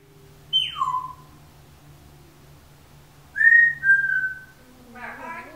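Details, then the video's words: Pet female Timneh African grey parrot, captive indoors: a high whistle sliding steeply down, then after a pause two level whistled notes, with a low steady hum and a dog snoring faintly beneath. "Mica Talking 2"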